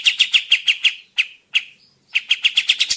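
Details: Sooty-headed bulbul lure recording to make birds answer: a fast burst of bright chips, two isolated notes with pauses between, then another quick run of sharp, evenly spaced notes.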